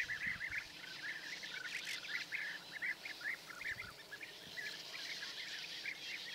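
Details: European bee-eaters in a large group in Hungary on 10 May, early morning, using perches set out for resting; many short rolling calls repeated densely throughout, steady background hiss.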